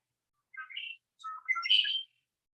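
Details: Red-winged Blackbird (Agelaius phoeniceus) song: a few short gurgling notes, then a loud, rasping, buzzy conk-la-ree trill, with nothing else in the background.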